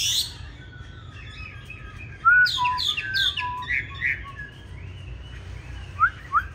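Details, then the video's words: Fighting song of a green-eyed hwamei, a recording used to train other hwamei toward a gentle song; quiet opening, then a sudden burst of varied whistled and slurred notes, fading into scattered soft phrases and two final upward whistles. "Họa Mi Mắt Lục Đậu Thanh Hót Đấu ( Dùng luyện Mi hót bài êm không gắt )"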